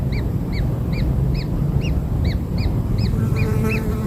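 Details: Newborn kingfisher chicks being fed black insects give short, arched, high peeps, about eleven in four seconds at a steady quick pace, over a constant low rumble.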